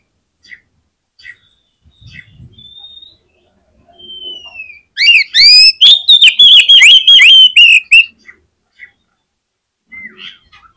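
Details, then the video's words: Oriental magpie-robin in full song, used to prompt other magpie-robins to sing: after faint scattered notes, a loud three-second burst of rapid, rich whistled phrases with sharp rising and falling slurs, then a few soft notes. "SUARA KACER GACOR INI SANGAT AMPUH BIKIN KACER LAIN CEPAT NGEPLAY"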